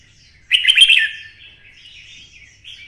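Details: Red-whiskered bulbul, twisted-voice type, excited into fighting song: one loud chattering warbled phrase followed by softer trailing twitters.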